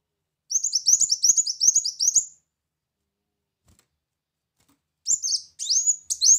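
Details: A brown-throated sunbird gives a rapid, high, sharply chirping twitter for about two seconds, then after a pause a few more squeaky notes, used as a lure call; no other sounds.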